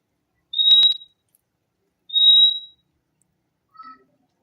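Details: Fim-fim (purple-throated euphonia) singing: two clear, pure high whistled notes about one and a half seconds apart, the first with a slight flutter, followed by a few faint lower tones.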